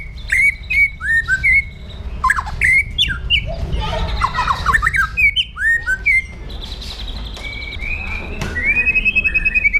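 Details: White-rumped shama caged in Indonesia singing an aggressive song used to train other birds: rapid irregular whistled slurs and harsh chatters, closing with a fast rising trilled phrase, low hum beneath.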